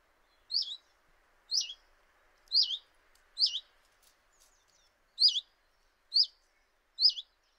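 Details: Common chiffchaff outside a kitchen window, Eibar, early March 2018, giving seven clear, bright notes that swoop down then flick up, evenly spaced roughly one per second, with near silence between.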